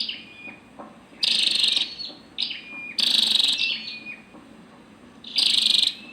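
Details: High-pitched calls from a female scarlet-backed flowerpecker, short thin notes leading into three strong buzzy, hissing bursts spaced about two seconds apart.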